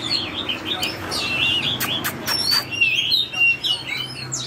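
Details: Oriental magpie-robin, drop-shaped form, singing forest-voice style: lively high whistles and warbled phrases tumbling quickly, broken by loud clicking bursts, ending with a few sustained, slightly wavering whistled notes.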